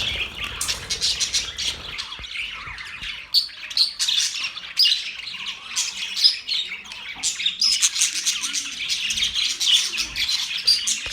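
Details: Budgies squawk and chirp in uneven bursts of harsh, high notes, some thin whistles standing out, with brief quieter gaps between flurries.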